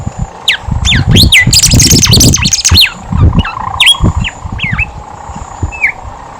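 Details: Lively Horsfield's babbler song meant to coax silent birds into singing: a burst of loud, dense whistled and chattering notes, then spaced, downward-curving whistles every half second or so, with thumping background noise.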